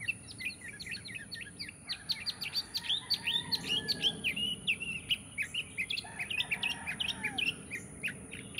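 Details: Bird chorus of dense, quick chirps and short downslurred tweets, many overlapping notes in steady bursts, with a faint lower warbling line partway through and a quiet background hum.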